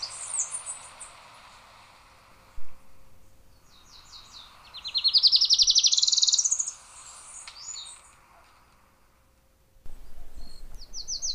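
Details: Adelaide's warbler, the Puerto Rican warbler, sings a rapid, high buzzy trill that rises and falls for about two seconds mid-recording. Fainter high chirps come before and after it, over a soft steady background hum.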